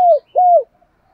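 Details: Spotted dove call used as a decoy to attract other doves and push them to call: two smooth, hollow coos, the first sliding downward, the second level then dropping, with a short gap between them.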